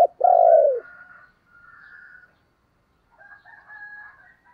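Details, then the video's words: Decoy spotted dove calling: one loud, low, downward-curving coo right at the start, followed by fainter, higher, scratchy sounds and a quiet stretch. "Tiếng chim cu gáy mồi gáy gọi"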